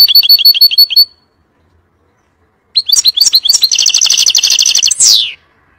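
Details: European goldfinch singing to teach its young. A row of quick repeated chirps stops for over a second, then a lively twitter builds into a sustained buzzy trill and ends with a descending slur.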